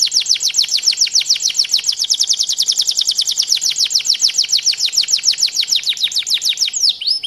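A canary sings a fast, bright trill of high downward-sweeping notes, about seven to eight a second, running unbroken before a final shift in phrase.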